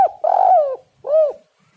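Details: Spotted dove calling to lure other birds: a long, buzzy, wavering coo sliding downward, then a clean arched final coo, low and mellow.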